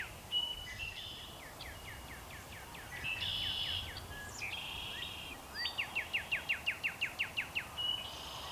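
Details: Male Northern cardinal singing in spring before sunset: repeated runs of quick, descending whistled slurs, quieter early and clearest near the end. Other buzzy bird notes and steady low background noise are heard.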